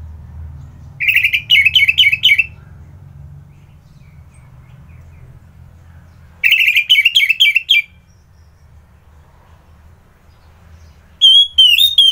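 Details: Morning song of an Orange-headed thrush in Singaraja, Bali: short bursts of rapid, sharply falling whistled notes, five or six per burst. Bursts come about every five seconds with long silent gaps, and a higher, smoother phrase ends it.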